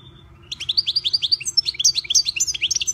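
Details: A lone single note, then a pet European goldfinch (Carduelis carduelis) launching into a fast, continuous stream of sharp, high chirps and tinkling twitters lasting about two and a half seconds.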